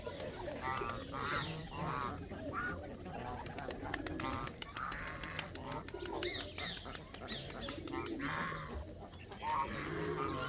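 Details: Canada geese calling together, overlapping nasal honks with stacked harmonics rising and falling in a continuous chorus, with steady low background rumble throughout.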